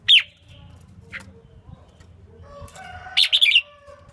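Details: Female red-whiskered bulbul used to excite males into singing; one sharp chirp opens, then a faint note, and later a rapid cluster of three or four warbled notes, with soft background rustling.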